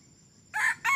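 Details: Red junglefowl that has only been crowing for three weeks, kept as a decoy for trapping wild junglefowl: the clipped end of a crow, two loud harsh bursts, with faint insect hiss behind.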